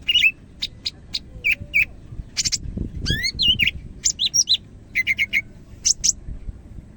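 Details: Medan-type greater green leafbird singing actively, mixing bright whistled slurs, rapid rising and falling notes and clipped chirps into a varied, busy phrase, with a low rumbling noise in the middle.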